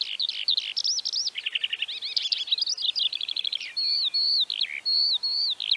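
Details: Eurasian Skylark in Central Russia singing a fast, unbroken warble of high trills, chirrups and slurred whistles, ending in a run of short, clear repeated notes.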